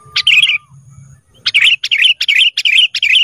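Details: Training recording of kutilang emas (black-capped bulbul) for cage birds: a rapid run of about six lively, buzzy warbled notes in quick succession after one opening phrase, with a soft low hum underneath.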